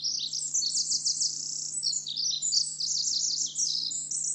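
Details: Song of a Pacific wren (formerly winter wren): fast, very high, bubbling trills strung together without pause, with stuttering repeated notes and quick pitch jumps; low background hum.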